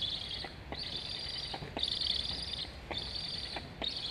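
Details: At an Estonian Black stork nest on 26.08.21, a chick begs for food while its sibling flies along the nest, both chirping. Rasping, hissy calls of about a second follow each other in quick succession, separated by brief clicks.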